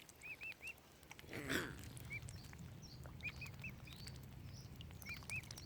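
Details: Tiny furry baby mute swan cygnets at Lough Neagh, Oxford Island Nature Reserve, Ireland, give thin, arched, high peeps in quick groups of two or three, separated by pauses, with a brief rushing burst and scattered clicks behind.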